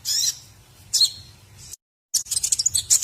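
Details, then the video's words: White-rumped shama training song for teaching other songbirds: high, sharp whistled bursts and rapid chattering notes, broken by a brief silent gap. "masteran murai batu isian terbaik buat jurii"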